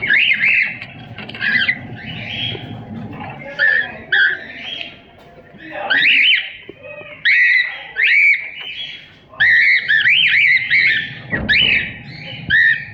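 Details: Pet cockatiel singing and chirping: loud repeated whistled phrases with rising and falling warbles, each burst about a second long and coming every one to two seconds, over a low steady hum.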